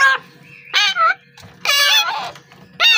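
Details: An unfeathered ("raw") parrot chick gives harsh, rasping begging screeches in short bursts, about four in three seconds, over a faint low hum.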